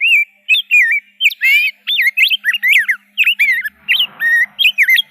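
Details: A rose-breasted grosbeak sings a continuous, fast stream of rich, slurred whistled notes, rising and dropping in pitch, with barely a break between phrases.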